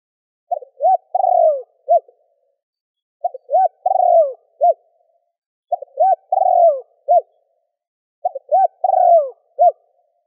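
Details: Spotted dove phrases meant to lure and excite wild doves: two short hooting notes, a long descending burred coo, then a final short hoot, repeated four times at steady intervals in a quiet setting.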